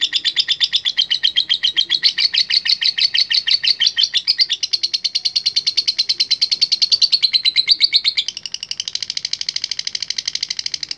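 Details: Active latah-type lovebird whose contest song is said to summon rivals. It gives a long continuous chatter of fast repeated high notes, dense and buzzy, that briefly softens and changes tone near the end before carrying on.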